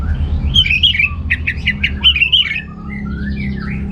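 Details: Caged orange-headed thrush from North Bali, song used to stir males short of breeding drive: a busy run of quick slurred whistles and chattering notes, trailing into softer thin whistles, with steady low rumble behind.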